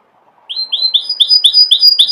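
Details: Canary singing a rapid series of bright, rising chirped notes, about seven in two seconds, each ending in a thin high whistle, clear and loud with no other sounds.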